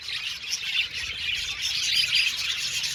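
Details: Australian budgerigars in an aviary colony singing and chirping, a dense, continuous warbling chatter of many birds with scattered sharp chirps throughout.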